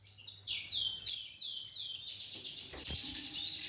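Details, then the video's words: Olive-backed sunbird (kolibri ninja) from a masteran made to stimulate singing: a few high sweeping slurred notes run into one fast, very high pulsed trill lasting about a second, then fade into a soft hiss. "MASTERAN merangsang KOLIBRI NINJA UNTUK PANCINGAN KONIN"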